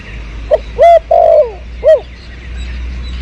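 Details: Spotted dove cooing behind garden plants near a house, recorded in 2022 for bird luring: a soft hooked note, a loud overdriven coo, a drawn-out sliding coo, then a final arched coo.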